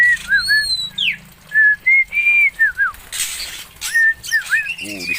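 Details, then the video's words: Song of an Oriental magpie-robin originating from Aceh: bright whistled notes, short slurred dips and level tones, a sharp descending sweep near the start, a brief noisy burst midway and a low hum behind. "BURUNG KACER ASAL ACEH"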